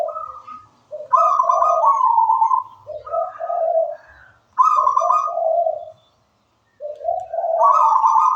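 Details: Zebra dove of local wild stock in full song, rolling two-pitched coos, a clipped note then a long quavering one, given in phrases about every three to four seconds with faint chirping in the background.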